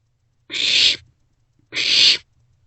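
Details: Barn owlets in a nest box sharing a meal at night, passing food back and forth, 27 March 2024 around 2 am; two loud harsh hissing screeches, each about half a second long, roughly a second apart.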